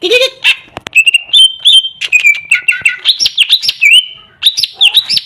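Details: Greater green leafbird in full, busy song, a low note at the start, then steady whistles and quick zigzag slurs repeated in lively sequence.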